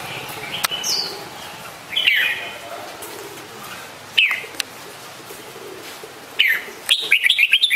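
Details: Red-whiskered bulbul uttering isolated sharp, slurred chirps spaced a few seconds apart, ending in a quick bubbly flurry of whistled notes, with a light echo.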